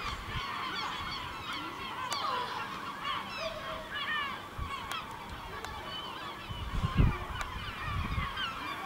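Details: Village gulls flying over a village in the Ortegal area until nightfall: many overlapping harsh, downslurred calls repeated throughout, several birds at once, with scattered clicks and a low rumbling background.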